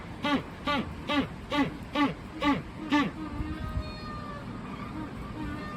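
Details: Magellanic penguins at Joetsu City Aquatic Museum Umigatari, Japan, suddenly start making noise after lounging, giving seven hoarse, braying honks about every half second, each with a dipping harmonic pitch, then a low hum of background noise.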